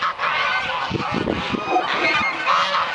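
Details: Geese at a goose haven in Dalen, waking on a bright winter morning, fill the air with a thick, unbroken chorus of overlapping honking and gabbling.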